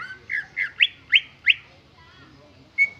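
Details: Greater green leafbird singing plain, without mimicked phrases: a brief burst of five loud rising slurred whistles, each louder than the last, then a quiet gap and one sustained level whistle at the end.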